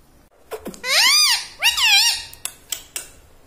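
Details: Indoor talking parrot, taught "mummy" and "radhe radhe", voices two arched, squeaky, voice-like syllables in quick succession, followed by a few sharp clicks.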